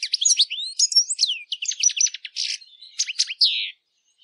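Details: European goldfinch song played to train captive birds, a lively jumble of high chirps, short buzzy bursts and downslurred whistles that stops abruptly after about three and a half seconds.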